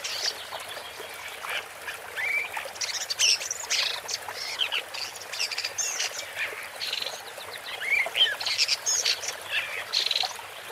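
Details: Woodchat shrike (Lanius senator) song of rapid scratchy warbling mixed with rising whistles, harsh chatters and mimic-like chirps, continuous and varied, with light background noise.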